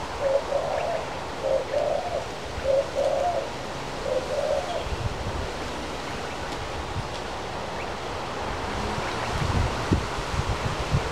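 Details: Male crested pigeon feeding from a hand gives a run of low, paired cooing notes for the first five seconds, then only steady outdoor noise and a few soft thumps.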